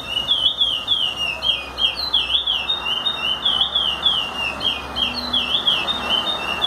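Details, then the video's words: Chestnut-bellied seed finch (curió) song used for teaching other birds: a continuous run of clear whistled, looping notes sliding up and down around a steady pitch, with overtones above, over a faint background hiss. "curió canto para ensinar"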